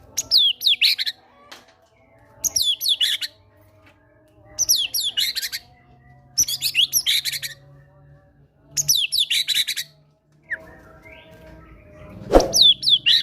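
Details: White-rumped shama, a caged fighter bird, repeating its prompting song with gelatik batu material: five loud bursts of high whistles and fast trills, each about a second long and spaced about two seconds apart, then a thump and another burst.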